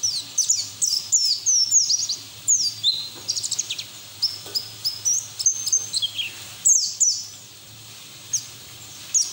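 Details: White-eye song used as training audio to get other white-eyes singing: high, thin, rapid twittering with sweeping whistled notes, flowing continuously with brief breaks.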